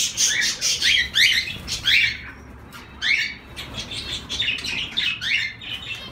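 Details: Several zebra finches give short, sharp nasal calls in quick bursts, a dense cluster in the first two seconds, a lull, then more scattered notes.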